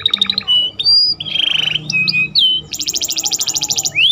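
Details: Caged canary in full song, filled in with phrases of a ciblek (prinia) and a chicken, used as a tutor for other birds: varied whistles, a buzzy trill, then a long fast rattle of high notes, over a low background hum.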